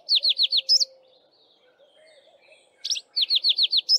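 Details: Dawn-chorus song of a male Streaky-headed Seedeater on a bushtop, females busy nest building: two bursts of four to five rapid, evenly spaced down-slurred whistles separated by a quiet pause.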